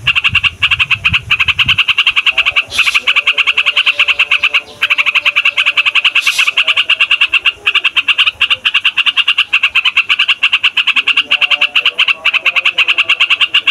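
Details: Continuous rolling chatter from a trucukan (yellow-vented bulbul), a loud lure song for wild birds and young trainees. Almost unbroken rapid notes continue for many seconds, interrupted only by a few short breaks and hissy accents.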